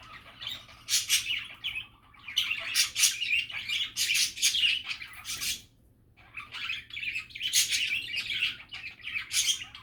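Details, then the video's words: Cheerful budgie chatter made of buzzy warbles, squawky squeaks and rapid clicks, pausing twice briefly between energetic bursts. "Happy and relaxing budgie chatter"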